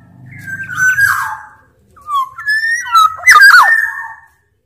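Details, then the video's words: Black-naped Oriole from Sumbawa, a larger-bodied form, singing actively, used as a lure and tutor to get orioles to sing: fluty drawn-out whistles, sliding and wavering notes, a harsh burst near the end, low hum early on. "Burung kepodang sumbawa gacor"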